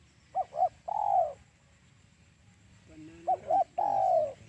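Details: Spotted dove cooing, used as a lure for trapping doves: two short hoarse coos followed by a longer drawn-out coo, repeated after a pause, over low background rumble.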